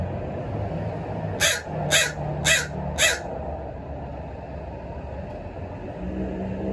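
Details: Crows at sunrise in town, feeding on egg yolks, give four harsh caws about half a second apart amid a steady rumble of urban noise and hum.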